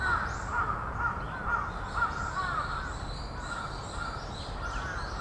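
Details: Large-billed crows, about twenty gathered, mobbing a northern goshawk: harsh caws repeated roughly twice a second, several birds overlapping, over steady low background rumble.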